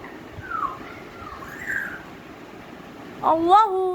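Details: African grey parrot talking, repeating the phrase "Allah Hoo" indoors: gliding, wavering voiced syllables, then a louder, sharper rising-and-falling utterance near the end over a low background hum.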